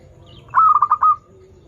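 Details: Zebra dove of a local strain, singing as a lure for learner birds: a single short phrase of five quick, pulsing coos that trail off into a soft held note.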